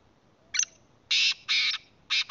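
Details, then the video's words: Black francolin (kala teetar) calling in Khyber Pakhtunkhwa, Pakistan: one short high note, then three loud, harsh, grating notes in quick succession, the last pair closely joined. The background is otherwise quiet. "kala teetar k awaz||voice of kala teetar||کالا تیتر کی اواز"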